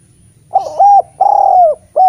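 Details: Master recording of a Eurasian collared dove to coax reluctant spotted doves: a brief lead-in, a rounded coo, a drawn-out descending coo, and the start of another.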